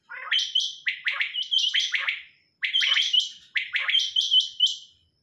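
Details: Female quail producing runs of four or five quick, harsh chirped notes with ringing high overtones, grouped phrases separated by short silences, background otherwise quiet.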